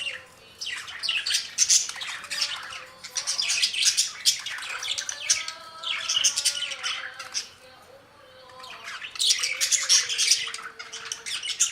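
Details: Budgerigar warbling comes in waves of chirps, raspy squawks and bright twittering, with a quiet stretch midway before a final lively burst.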